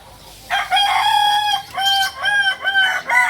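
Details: Kukuak balenggek rooster, a purebred from Solok in West Sumatra, crowing in a drawn-out harmonic note that breaks into several short pulsing, stepped syllables, loud and clear over quiet background.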